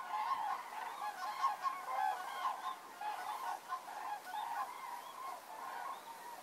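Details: Common cranes coming in to roost at dusk, Federow, Germany, 3 October 2018, with low water levels after a long drought. Many rolling, trumpeting calls overlap in a steady chorus, with louder bursts roughly every second.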